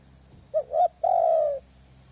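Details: Single phrase from a spotted dove kept as a decoy at a trapping hide in strong wind: a brief rising double coo followed by a long, smooth, slightly descending coo.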